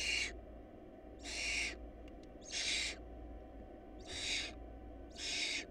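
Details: Hungry barn owl nestlings in a food-short nest hiss in long rasping screeches, five bursts spaced about a second apart over a constant low background hum.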